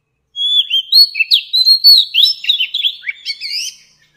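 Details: Oriental magpie-robin, wild-caught adult, sings a flowing string of sweet whistles with quick up-and-down inflections, starting after a brief silence and trailing away.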